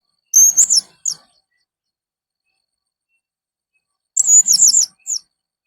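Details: Blue-crowned hanging parrot giving strange, fierce-sounding calls: two short bursts of thin, very high squeaky notes, each a quick run of chirps followed by a single clipped note, separated by about three seconds of silence.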